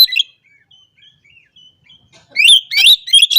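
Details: Oriental magpie-robin singing to challenge opponents. A sharp note opens, then a string of soft, short whistles, ending in a loud, fast run of jumbled chirps and squeaky notes.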